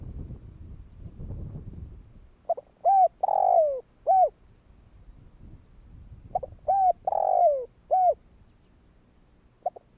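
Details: Spotted dove call meant to prompt other doves to answer; after soft rustling noise, two clear coo phrases, each a short hoot, a longer drawn-out falling coo and a closing hoot, separated by a few seconds.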